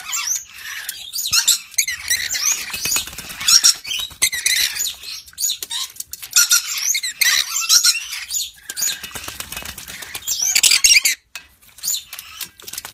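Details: Yellow-streaked lory giving loud, harsh, screechy calls in dense bursts with brief pauses, some rasping squawks and rapid chattering notes running through the whole stretch, ending in a short silence before a final burst.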